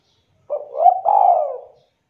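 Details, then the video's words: A spotted dove in full voice, calling so other doves respond: one long, wavering, hollow coo that swells and then slowly slides down before fading out. "DERUK DERKUKU TEKUKUR GACOR BIKIN DERKUKU APAPUN AUTO LANGSUNG NYAUT DAN GACOR"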